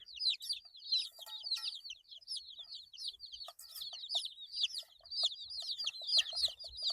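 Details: Several 8-day-old chicken chicks peep in a dense high chatter of falling notes, mixed with scratchy rustling and clicking noises throughout.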